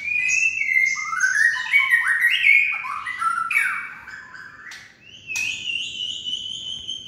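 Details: White-rumped shama singing in the kretekan style, a song used to stir other shamas to sing: rich, varied whistled phrases with sliding and dropping notes, a sharp upward flick near the fifth second, then a long, high, sustained whistle with a faint trill.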